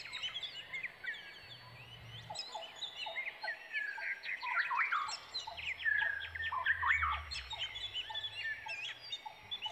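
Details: Brown Prinia (Prinia polychroa) chicks waiting for a parent returning with food give a dense, excited chorus of thin, squeaky chirps, several voices overlapping in quick bursts, over a faint low hum.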